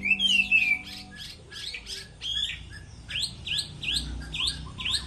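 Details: Contest song of a moulting Chinese hwamei: a drawn-out descending whistle opens, then comes a quick series of short, sharp repeated notes, about three or four per second, that rise in volume.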